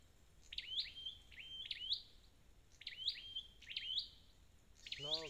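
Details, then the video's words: Red-headed flowerpecker, a wild-caught bird, repeating sharp high flicked notes with gaps of about a second; a brief lower, harmonic voice-like sound cuts in at the very end. "File TiếngTiệt Chiêu Phục Hồi Chim Sâu Đầu Đỏ Bể Rừng"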